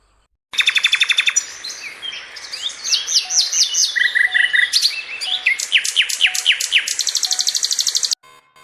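A nightingale pours out a loud, varied song of rapid repeated notes, sharp whistles, buzzy trills and soft low piping, unbroken for about seven seconds.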